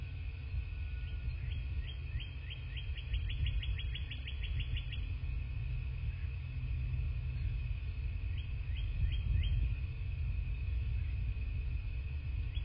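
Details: Bald eagles at a nest in a quaint southwest Florida landscape, filmed by nest cam on 27 February 2024 at 09:46. A fast run of thin, high piping notes, then a brief second burst, over steady low wind rumble.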